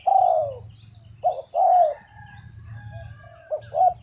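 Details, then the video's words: Spotted dove calling with a long, mellow, downward-sliding coo. Short clipped notes lead into a second drawn-out coo, and a few more short notes follow over a low rumbling background. "GELAGAT BURUNG TERKUKUR | SUARA YANG PADU"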